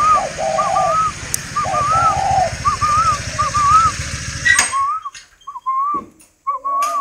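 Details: Kept spotted dove of the 'cườm vàng' (golden necklace) type, cooing in repeated soft phrases: a short low note, then a drawn-out hooting coo. A steady low mechanical rumble runs under the first four seconds, then fades to quieter background.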